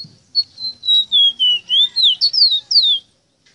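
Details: Ruddy-breasted seedeater, called Rosita or Meriño, singing a tutor song for captive birds: a steady string of pure whistled notes stepping gradually lower, then rising, with sharp downslurred whistles at the end.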